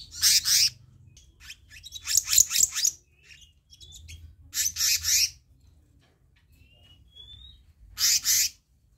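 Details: Black-naped monarch, used as a training and lure recording: bursts of harsh, buzzy chatter in four groups, with short thin rising whistles in the quiet gaps between them.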